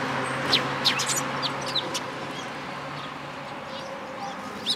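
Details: Several Eurasian tree sparrows at a Tenmangu shrine on 14 April 2022 give short, high chirps in scattered pairs and singles over a steady low background hum.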